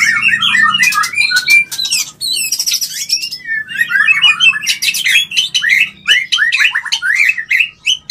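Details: White-rumped shama mating call to stimulate mating: long varied medley of slurred whistles, harsh buzzy bursts and quick chattering notes, delivered almost continuously.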